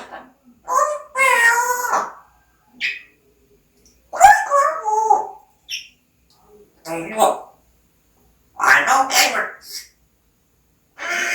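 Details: Pet parrot talking indoors in a small room: bursts of harmonic, speech-like chatter with bright raspy syllables, separated by short silences.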